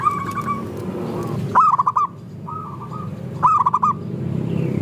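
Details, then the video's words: Zebra dove song meant to coax other doves into singing, heard as rolling, bubbling coo phrases repeated about every two seconds above constant low droning background noise. "Perkutut Lokal Gacor – Pancingan Ampuh Bikin Langsung Bunyi"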